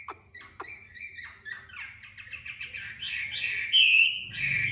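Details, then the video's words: Caged, tamed Chinese hwamei in Hanoi, Vietnam, singing competitively: a few sharp clicks, then a rising, accelerating run of rich whistled notes that swells into a loud, ringing phrase, over a low background hum. "Mi thuần MCB99x8A đẹp hót đấu giọng hay tốc độ mỏ tốt"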